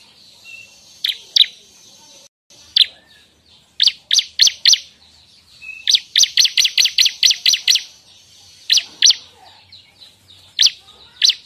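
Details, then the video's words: Bar-winged prinia, song used as a lure for birds and for training songbirds: loose clusters of sharp, high, repeated chips, several quick runs of six to eight notes, with soft background hiss. "suara ciblek, untuk pancingan burung bahan dan cocok untuk pikat serta untuk masteran burung kicau."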